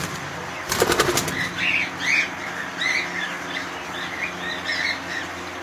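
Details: Cockatiels kept as a colony: a brief burst of wing flapping early on, then short bright chirps repeated about every half second over a steady low hum.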